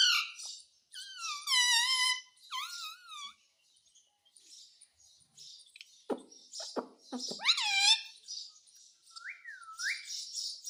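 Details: Indoor pet parrot talking while asking for roti: wavering whistled tones and a rising-falling harmonic call open, then clipped chatter syllables, one bright arched call, and a final looping whistle.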